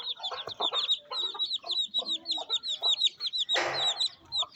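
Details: Mother hen feeding her chicks on a rainy day in a Pakistani village: a constant stream of high, thin peeps from the chicks over low, short clucks from the hen, with a brief burst of noise near the end.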